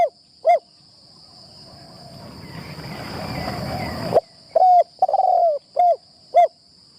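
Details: Spotted dove used to lure others in decoy trapping, on its first tent training. Isolated soft coos, then a rustling gap, then a quick run of deep, rounded coos with one longer, wavering note. A faint insect drone continues throughout.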